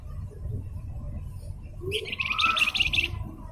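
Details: Blue-winged minla (flamboyan), a gacor singer on a masteran recording, gives one rapid buzzy chattering trill lasting about a second, preceded by a quiet low rumbling background.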